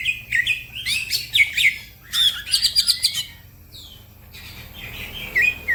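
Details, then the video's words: Green leafbird in lively fast song meant to set other birds singing: rapid runs of bright whistled and chirped notes in dense bursts, a brief gliding whistle, then quieter twitters from nearby birds. "The green cucak bird makes noise, other birds also become gacor"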